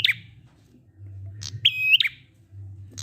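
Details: Prinia ngalun song for luring silent prinias into song. Loud clicks open and close a single flat, bright whistled note lasting about a third of a second, with a low hum underneath.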